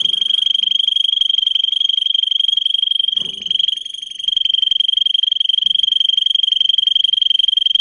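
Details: Canary singing a sustained rapid high trill meant for training young singers, the pulses so fast they merge into a rolling tone, briefly softening midway, with soft cage rustling behind.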